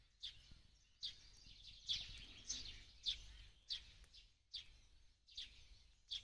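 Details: Sparrow chirping in a Ukrainian forest in April 2023, sharp high notes repeated roughly once a second in an even, insistent rhythm, with a low rumbling background between calls.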